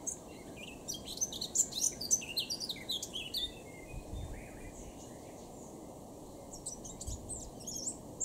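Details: A blackcap singing in Cambridgeshire, UK, late June 2016, delivers a quick burst of bright, chattering warbles for about three seconds, then falls quiet before a few soft notes return at the end.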